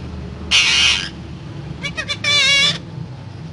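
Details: Parrot letting out a long rough screech, a pause, a few quick clicks, then a wavering, warbled squeal.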